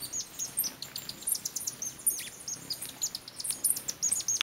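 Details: A Booted Racket-tail hummingbird at Bellavista Cloud Forest near Tandayapa, Ecuador, gives very high, thin chips and twittering notes in quick, irregular bursts of several per second, against a quiet background hiss.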